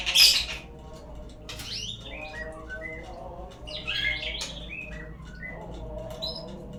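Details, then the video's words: Lure song of a white-rumped shama, used to get birds singing: a sharp high burst at the start, then a string of short clear whistles stepping up and down, over a low background hum. "suara pancingan burung murai agar bunyi"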